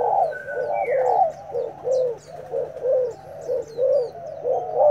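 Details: Newly arrived untamed decoy spotted dove already fighting, giving a steady run of low rounded coos about once a second, with thin high chirps of other birds in the background.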